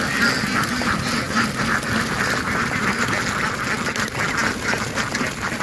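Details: Ducks quacking in a dense, continuous chorus of overlapping nasal calls, several birds calling at once with no pauses.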